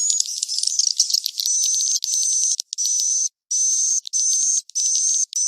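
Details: Swiftlet roosting call used to draw birds into farmed nest houses, cave-crossing type: high insect-like twittering with a thin whistle, cut into pulses of roughly half a second by brief pauses.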